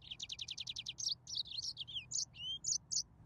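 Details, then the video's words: Yellow-fronted canary (Serinus mozambicus) singing: a fast trill of about ten repeated high notes, then varied whistled slurs and falling sweeps, bright and high-pitched, with faint low hum underneath. "تغريد ياسمين موزمبيق"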